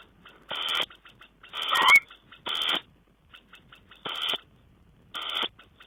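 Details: A tawny owl, recorded on 5 June 2010, gives five harsh, hoarse, hissing screeches, each about half a second, at uneven gaps of one to two seconds, with soft ticking notes between them.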